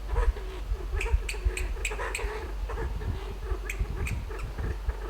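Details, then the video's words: Kalij pheasant in a western Himalayan sanctuary, climbing a tree to roost at dusk; a rapid series of low, short notes mixed with sharp clicks, several clicks close together in bursts, over steady low background rumble. "Kalij Pheasant makes beautiful trilling - clicking sounds from roosting tree"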